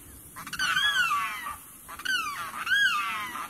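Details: A limpkin in a wetland gives two loud, far-carrying, harsh wailing screams, each about a second long, rising then falling, with a pause of about half a second between them.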